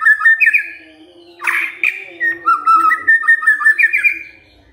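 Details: White-rumped shama singing loudly after hearing a lure recording: quick paired whistles, a harsh buzzy burst, then a fast run of short clear notes repeated about three per second.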